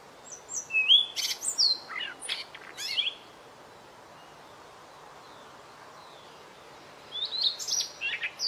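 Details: White-rumped shama song used as a training recording: about three seconds of quick whistles, buzzy notes and sharp clicks, then roughly four seconds of near silence, then another burst of high rattled notes.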